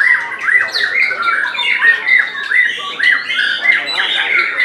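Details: White-rumped shama in the main class of a songbird contest in Semarang, Indonesia, July 2022. It sings loud repeated harsh chattering phrases roughly twice a second, with high whistles above and other competing birds in the background.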